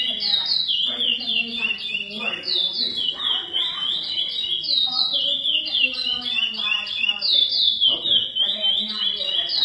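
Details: A high-genetics, breeder-raised curió, or lesser seed finch, sings in the classic praia style. Its piercing whistled notes dip and climb in tightly linked phrases that repeat steadily throughout, with faint lower chatter in the background.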